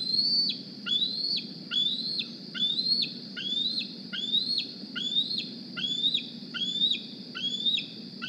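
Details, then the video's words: Young bald eagle of the 2020 Decorah nest, carrying a GPS transmitter, begging loudly on arrival one morning; a long run of about twelve shrill rising squees with sharp falling ends, repeated every 0.7 seconds, over camera hum. "D36 Flies To The Nest Looking For A Meal"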